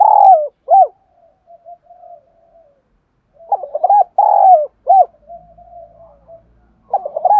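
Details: Caged decoy spotted dove coos to stir rival males into calling; loud sliding coos and clipped notes come in two bursts, linked by quiet low murmuring coos.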